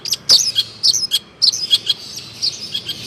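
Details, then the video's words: Mimicked Cipaku and swiftlet phrases sung by a long-tailed shrike: sharp high squeaks and clicks in uneven clusters, fading to softer twittering toward the end. "Burung cendet fuul isian Cipaku dg walet"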